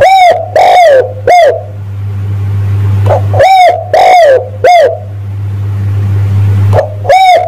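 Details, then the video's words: Spotted dove lure call used to attract males: clear cooing notes, each a short fluttering coo with a dip, given in pairs and triplets with pauses, over a steady low hum. "tekukur pikat mp3 memanggil jantan"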